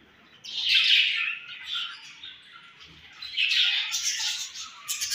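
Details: Home-bred pet budgerigars with a baby: two loud bursts of raspy, warbling chirps separated by a quieter stretch of soft twitters.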